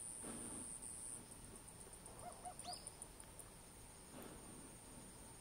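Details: Eurasian hoopoe on Ishigaki Island in mid-April, singing its breeding song, a soft, low, hollow 'oop-oop-oop' of three quick notes, crest raised before flying off; a thin cicada whine runs throughout, with one brief high bird note and some wind rumble.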